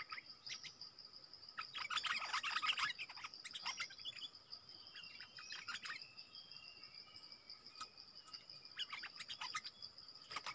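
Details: Streaked bulbul family in the wild, one possibly a male. Loud clusters of rapid, sharp chirps peak early, then thin to scattered notes and a final flurry. A persistent insect whine runs underneath.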